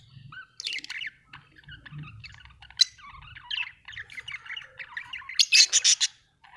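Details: Budgie chatter of soft, twittering chirps and buzzy notes, ending in a louder run of harsh, rapidly repeated pulses.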